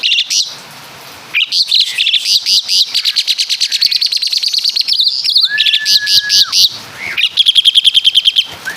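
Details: Asian pied starling, native to Java, delivering a song full of caladi and kapas tembak imitations: a long run of quick sharp high notes, a single sustained flat whistle, then another rapid trill.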